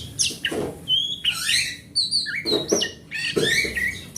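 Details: Oriental magpie-robin of forest stock, kept as a household hobby bird, singing as a lure for non-singing magpie-robins; varied whistles, sharp slurs and harsh chattering notes, broken by repeated dull thuds.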